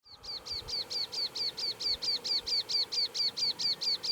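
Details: Rufous-eared warbler singing in Karoo National Park: a fast, steady series of identical high, thin notes, each dropping slightly in pitch, repeated about eight times per second for the whole stretch, with light background noise.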